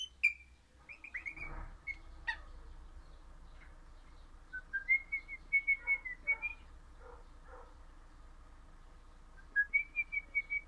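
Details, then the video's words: Singing pet crimson rosella, orange in colour: scattered clear whistles early on, then short bursts of rapid repeated piping notes around the middle and again near the end, over a steady low background noise. "Happy Parrot Crimson Rossela Pennant Orange Singing"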